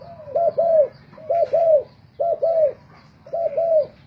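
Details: Contest singing of spotted doves sold as decoys: four neat phrases of two or three mellow, bowed coos each, spaced about a second apart, over a soft background rumble.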